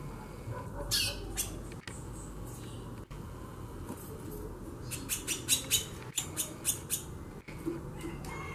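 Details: Xaxando chatter from a female white-bellied seedeater, the chorão: a lone scratchy note early, then a lively sequence of rapid dry chips in the second half, over noticeable low background rumble and a few clicks.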